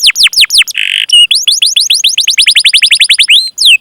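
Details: Canary song for stimulating other canaries: quick falling chirps, a short buzzy note, then an accelerating series of about twenty downward-swept whistles ending in a rising slur.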